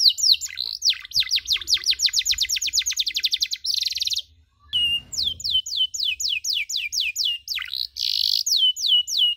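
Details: Canary chirping for training other canaries in the cuit-cuit style: a fast run of steep descending notes, a short buzzy burst, a pause, then evenly spaced downward-curving chirps and a final buzz.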